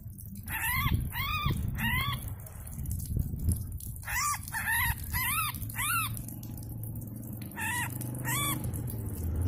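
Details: Yellow-vented bulbul (trucuk), a wild, skittish bird being tamed, gives short arched harmonic notes in quick runs of two or three, repeated over several seconds, against a low background rumble.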